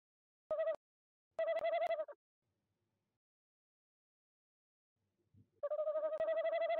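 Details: Tawny owl calling at nest box 1 in De Mortel, 26 January 2021, 19:33 CET, evening, breeding season: short tremulous bursts followed by a longer quavering hoot, each pulsed about four times a second, with a few clicks.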